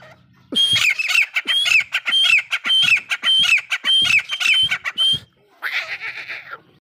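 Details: Grey francolin call: loud, rapid run of ringing, repeated two-part notes, each with a clear whistled tone, about a dozen in five seconds, followed by a harsh rasping burst.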